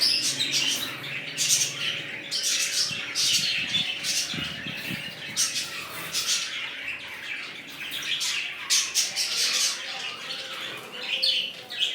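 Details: Budgerigars chattering in a new colony that has red-eyed birds: a loud, unbroken flurry of raspy squawks and high chirps, with a few low thumps early on and a faint steady hum.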